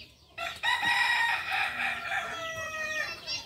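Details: Native Solok, West Sumatra breed, the Kukuak Balenggek cockerel crows: a loud, harsh, drawn-out note that holds steady, then breaks into a falling, gently wavering tail lasting about three seconds.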